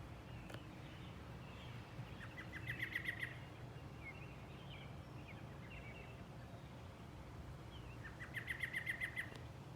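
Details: Robins singing at sunrise: two bright bursts of about eight quick, evenly repeated notes, with scattered thin warbled phrases between, over a steady low rumble.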